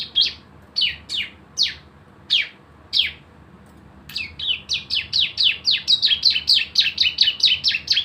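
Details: Javan white-eye lure song in the 'nembak' style: five spaced, sharp downslurred chirps, then an accelerating rapid series of high, ringing notes packed closely together to the end.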